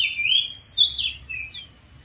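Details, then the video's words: Oriental magpie-robin in the wild, perched atop a dead tree, delivering a short run of clear, looping whistled notes that swoop up and down, with a soft low hum behind. "KICAU BURUNG KACER DI ALAM LIAR | GACOR DARI ATAS POHON MATI"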